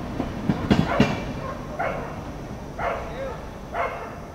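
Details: An Indian grey hornbill, recorded 15 September 2023, gives three shrill, squealing notes, about one a second, after a few sharp knocks, over a low rumble of background noise.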